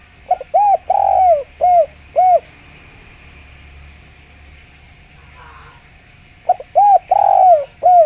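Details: Clear-voiced spotted dove calling as a lure: a run of rounded arched coos including a long drawn note, a quiet pause of several seconds, then the phrase repeats with quick leading notes and a long coo.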